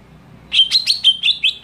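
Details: Greater green leafbird scream aimed at provoking other leafbirds: a quick run of about seven sharp, slightly rising chirps following a brief silence, faint low hum underneath.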